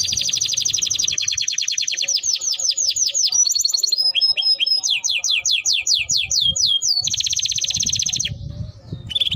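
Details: Timbrado canary singing a continuous melody of fast trills at high pitch, rapid repeated notes shifting into downward-sweeping slurred syllables, then buzzy rolling phrases and a short whistled ending.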